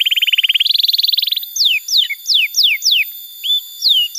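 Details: Canary song for tutoring young canaries and for getting birds that have stopped singing to sing again: a steady buzzy trill rising in pitch, then spaced descending whistled sweeps about every quarter second.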